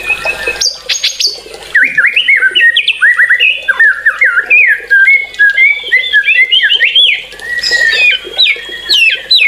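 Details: White-rumped shama song of rapid, varied phrases: quick upward-swept whistles and chips repeated in dense runs, some rattling notes at the start, with brief pauses and a faint background hum.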